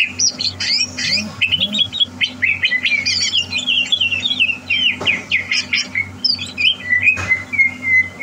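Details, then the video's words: Greater green leafbird prepared for competition pours out a dense, fast song of varied chirps, short whistles and buzzy notes, ending with a long level whistle, over a steady low hum. "Suara Burung CUCAK Hijau"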